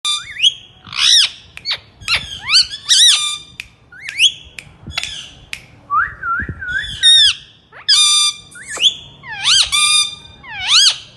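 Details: Rose-ringed parakeet, a talking pet, giving loud whistled and squawky calls in quick bursts, some rising and falling in loops, with short pauses between phrases; no other clear sounds.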